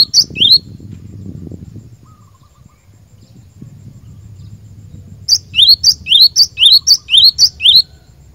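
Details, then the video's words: Cinereous tit song for training caged birds: one brief two-note burst opens, then a quiet gap with low background rumble, then about six rapid paired notes, a piercing high chip and a lower upslurred whistle, repeated steadily. "Burung Glatik Batu Pikat Gacor"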